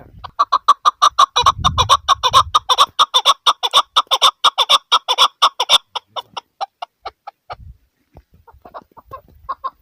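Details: A chukar partridge, possibly a female, gives a rapid series of harsh, clucking chuk notes, about two a second, slowing and thinning toward the end; a brief low thump is heard early.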